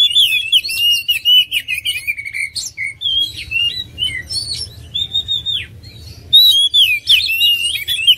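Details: Oriental magpie-robin pouring out fast whistled phrases mixed with scratchy notes and chirps, easing into softer calls mid-way before a loud final flourish.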